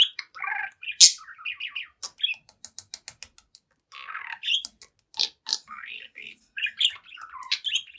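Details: Young caged budgerigar, seven months old, playing at a mirror; scratchy chirps and chatter interrupted by a quick series of sharp clicks, then more warbled squeaky chatter.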